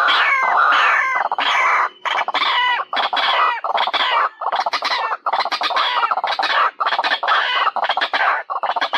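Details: White-breasted waterhen call used to lure birds: loud, harsh, croaking and clucking notes in dense irregular bursts, repeated rapidly with brief pauses, filling the whole recording.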